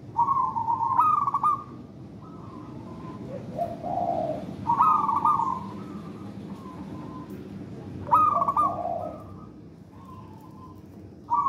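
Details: Wild local Javanese zebra dove singing actively in the songgo ratu style, used as a lure to get other doves singing. It gives repeated mellow cooing phrases: a sharp opening note, then a rolling coo and a trailing purr, about every four seconds.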